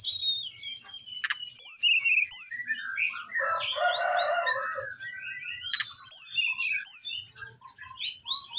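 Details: Orange-headed thrush song used as a training recording to make caged thrushes sing: varied high whistled phrases, slurred notes and twittering, broken midway by a harsh buzzy, broadband burst before the whistles resume.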